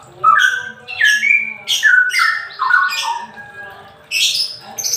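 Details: Straw-headed bulbul in semi ropel song, played to coax lazy birds into singing: rich, gurgling whistled bursts that tumble downward in steps, several phrases in quick succession over a faint low hum.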